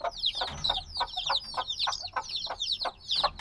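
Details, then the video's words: Crowded, high-pitched cheeping from several black chicks hatched days earlier, still wanting warmth from the mother; falling whistled peeps overlap continuously above thumping, lower bursts, captured binaurally. "Baby Chicks Sounds - Baby Chicken Chirping Noises"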